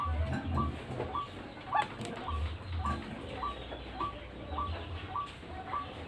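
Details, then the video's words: Repeated calling of a white-breasted waterhen used to lure birds, each brief note rising sharply, given at a fairly even pace about twice per second, with low hum and some flapping or handling noise. "RUAK RUAK GACORAN AUTO JUARA PIKAT"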